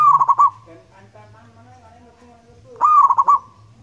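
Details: Active singing from a local wild zebra dove (perkutut), noted for a loud, long voice. Two trilled, stuttering coo phrases are separated by about two and a half seconds of quieter murmuring sounds.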